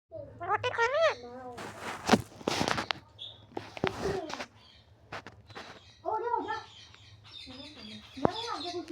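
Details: A talking parrot, apparently saying the Urdu phrase "kiya ap ne roti khani hay" ("have you eaten roti?"), speaks in short, nasal, speech-like phrases with sliding pitch, broken by harsh noisy bursts, over a low steady hum.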